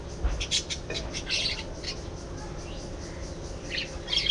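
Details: Budgies give scattered high chirps and short squawky notes in small bursts, with brief pauses between and a faint low background hum.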